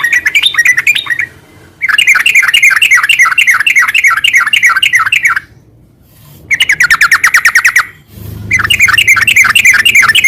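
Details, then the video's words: Bubbly rapid chatter from a sooty-headed bulbul in garuda sambung ngeropel style, delivered in long bursts of quickly repeated slurred notes broken by short silent gaps, with a faint low rumble at the end. "Suara kicau burung trucukan gacor garuda sambung ngeropel"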